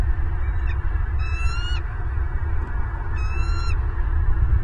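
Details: Wild bald eagles at their nest in Southwest Florida on 26 November 2022, the male bringing prey for the female: two high, squealing calls rich in harmonics, about two seconds apart, over a steady low rumble.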